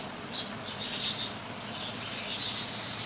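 House sparrows give bright, overlapping chirps at an uneven pace, almost one a second, over a steady hiss of background noise.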